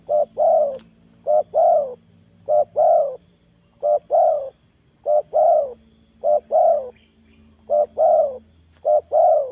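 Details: Spotted dove calling as a lure for trapping: low, mellow cooing in paired phrases, a short note then a longer swelling one, repeated steadily about every 1.2 seconds, with a faint steady hum in the background.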